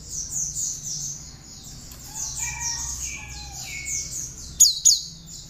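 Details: Cinereous tit song including bar-winged prinia notes, meant for training songbirds: fast high pulsed chattering throughout, a few lower drawn-out whistles midway, and two loud sharp high notes near the end.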